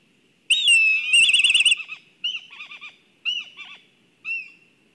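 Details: Black kites at a nest in Kurzeme, Latvia, on a live nest camera during excitement at the nest: a loud whistled note slides down into rapid quavering trills, then three shorter whinnying phrases with pauses between.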